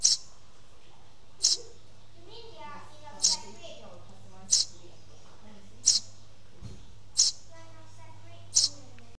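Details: A Eurasian tree sparrow chick in Singapore gives short, high, sharp chirps about every second and a half, seven in all, over soft talking voices.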